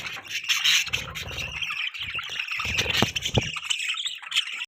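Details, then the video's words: Chirping budgies giving a busy mix of high squeaks, warbled twitters and harsh little squawks, joined by a few deeper buzzy notes. "Beautiful budgies bird chirping sounds|Budgie chirping sound"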